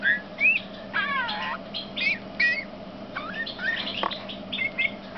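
A male Eurasian bullfinch gives a quiet, halting song of soft piping whistles, some wavering or rising, spaced irregularly over a low steady hum.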